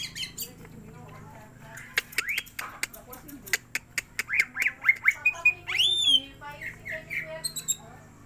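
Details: Greater green leafbird singing to rouse the bird: sharp clicks followed by a sequence of upward-sweeping whistled notes that grow louder, with one high slurred whistle standing out, then softer chirps.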